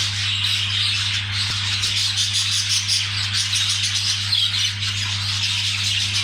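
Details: Budgerigars calling during mating, giving a dense, continuous warbling chatter of fast, high chirps and squeaks that overlap without pause, over a steady low electrical hum.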